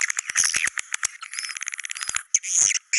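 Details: Swiftlet calls in the style named China cave: a quick series of sharp clicks leads into high, buzzy twitters and thin whistled chirps.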